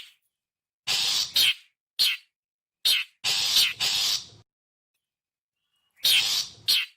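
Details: Long-tailed shrike (cendet or pentet) giving its typical call, used as a lure for birds: harsh, broadband rasping notes, some short and some drawn out about half a second, in two bursts separated by silence; clean background.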